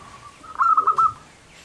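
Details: Local zebra dove singing in the manggung style, described as a prolific singer: one short phrase of a soft lead-in coo, then four quick, bubbling, rolling coos in a steady run, fairly clear with little background.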